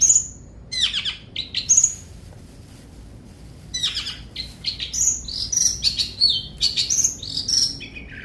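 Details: Long-tailed shrike singing in short bursts: high, thin whistled notes and scratchy, chattering phrases separated by brief pauses. Near the end the phrases become a denser, varied stream of sharp chirps. The background is quiet.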